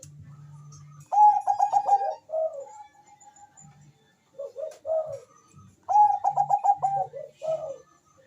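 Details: Constantly singing Bangkok zebra dove, a lure for mating drive and song: two loud phrases of rapid stuttering coos ending in lower rolls, a thin sustained note between, and low hum at the start.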